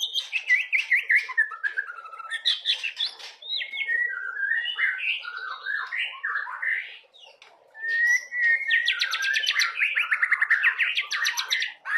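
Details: Long, loud white-rumped shama song, used to get juvenile shamas singing: continuous cascades of varied whistled and warbled notes, a short pause, then fast rattling trills.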